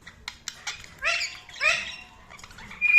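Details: Budgerigars giving a few short chirps followed by two louder rising, warbled calls and a thin whistle at the end.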